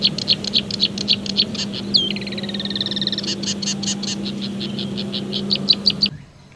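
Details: Marsh Warbler song: quick repeated sharp chips, then a drawn-out buzzy, nasal trill, followed by more rapid bright chirps before cutting off abruptly; faint low hum in the background.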